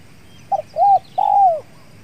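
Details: In a durian orchard in the evening, a very aggressive wild Spotted Dove responding to a decoy dove gives a soft three-part coo: a brief note, then two longer mellow notes, the last drawn out and sliding down; quiet background.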